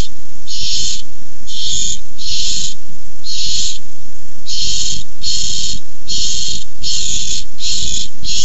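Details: Barn owls on a nest camera, 6-4-15, squabbling over a tiny mouse. Harsh, hissing screeches about a second long repeat in rapid succession over a steady low rumbling background.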